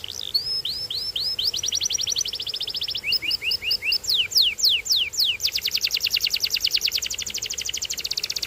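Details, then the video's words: Canary singing a varied sequence: short rising whistles, a quick trill, paired chipping notes, loud falling sweeps, then a long fast rolling trill at the end. "Get Ready To Be Amazed By The Incredible Sound Of This Special Canary"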